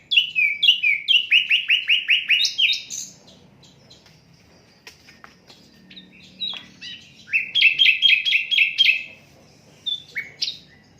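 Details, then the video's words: Asian brown flycatcher, an unedited recording used as master song for training songbirds: fast runs of bright, downslurred whistled notes repeated in quick series, a quiet pause with faint clicks, then another rapid whistled run and a few short notes. "Sikatan londo durasi 15 menit, Reall No editan, cocok buat masteran semua burung"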